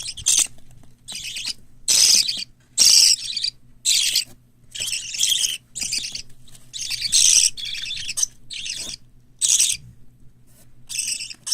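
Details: Indoor parakeet chicks, white lovebird, cockatiel and budgerigar, soon to begin hand-taming training, call in harsh, hissing bursts that come thick and fast, some louder and longer than others.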